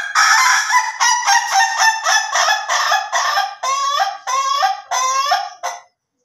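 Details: Ayam Ketawa chicken, from a comparison of slow and durasi crowing styles, giving a laughing crow: about a dozen rapid, harsh, nasal syllables in a stuttering run that grows more drawn and wavering toward the end, then stops.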